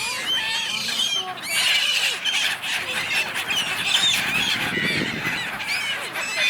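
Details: Gulls in a large flock arguing on the River Dnipro, Kyiv, Ukraine, in January; loud, dense screeching from many birds with a low rumble underneath midway.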